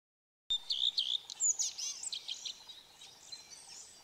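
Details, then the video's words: A singing male common redstart at Kunfehértó, Hungary, on 15 April 2018 gives a quick phrase of high whistled notes, then a jumbled, scratchy twittering run that fades toward the end. "Kerti rozsdafarkú"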